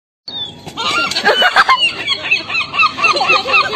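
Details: Gulls squabbling with one another: a dense, overlapping chorus of harsh, nasal squeals and yelps that start abruptly and carry on in a busy jumble with no clear rhythm.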